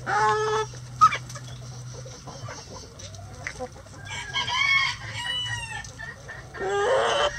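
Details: Chickens at morning feeding in their coop give short harmonic squawks at the start and end, with softer overlapping calls and clucks in between over a low hum.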